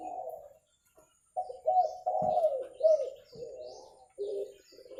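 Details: Spotted dove coos recorded for luring: a series of muffled, throaty cooing notes in uneven bursts, with faint hiss in the background and a few soft thumps.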